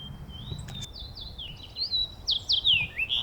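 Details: A Fox Sparrow, from central Alaska or Newfoundland, sings its rich, clear phrase of slurred whistles, starting level then breaking into quick falling and rising notes that grow louder toward the end. An individual repeats the same song all day.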